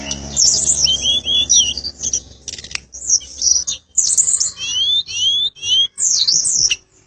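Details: Tledekan gunung flycatcher singing actively: a rapid, high-pitched run of sharp chirps, squeaky trills and short rising whistles in bursts, with brief gaps between phrases.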